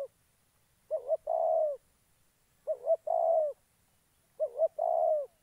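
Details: Decoy spotted dove in Gia Lai, Vietnam, luring wild doves with a rhythmic phrase, a pair of short warbled notes then a sustained mellow coo, repeated three times at roughly two-second intervals against near silence.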